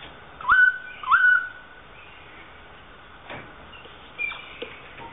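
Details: South Island kaka, one of a breeding pair of New Zealand parrots in a public aviary at Dunedin Botanic Gardens, New Zealand, swinging on a chain; two rising whistled notes in quick succession, then fainter clicks and a short high note.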